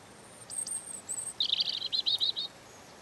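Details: European robin singing: thin, very high whistled notes, then a fast, glittering trill of rapid chips lasting about a second. The background is quiet.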